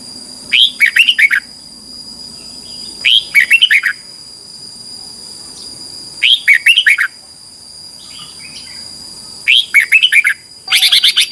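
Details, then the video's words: Morning competitive singing by a red-whiskered bulbul: five short phrases of rapid whistled notes roughly every three seconds, with faint softer chirps between and a steady high hum throughout. "Luyện chào mào hót sáng 2021 | chào mào hót đấu"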